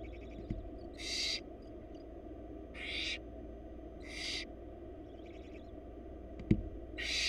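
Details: Barn owl chicks calling for food from their mother in a wild Florida nest box; five rasping hiss-screeches at irregular intervals, faint softer hisses, a knock near the end, steady hum beneath.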